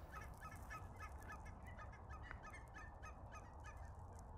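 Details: A noisy flock of cackling geese, possibly with a few Ross's or snow geese, coming in wave after wave to land at Nisqually National Wildlife Refuge in February, gives an overlapping chorus of short, high, yelping honks over a low rumble.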